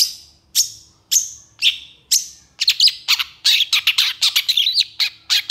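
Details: Long-tailed shrike singing with long bursts, suited for tutoring shrikes: several evenly spaced sharp descending notes about half a second apart, then a rapid scratchy chattering run.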